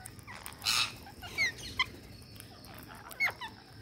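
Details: Green parakeet at feeding time giving several sharp, high squawks and short rising screeches in quick succession, with fainter chirps in between over a steady low hum.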